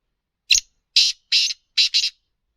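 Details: Black francolin, called kabotra, speeder or chakri wala kala teetar, giving a harsh, high broadband call of five quick notes, a single note followed by two longer notes and a closing double note, over a silent background.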